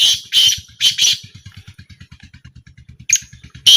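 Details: Black francolin in a short 2025 calling trial gives four quick harsh notes, then a pause with only a steady low engine-like throbbing, then two more grating notes.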